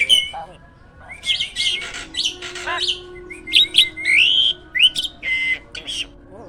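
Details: A caged hybrid jalak, used as a master to teach other birds, sings an irregular mix of scratchy chatters, squeaks and bright slurred whistles in short bursts.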